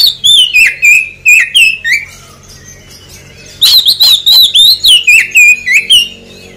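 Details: Oriental magpie-robin song used as a lure to prompt a response after moulting: loud, clear whistled phrases sliding downward, delivered in two rapid bursts of repeated notes separated by a short pause.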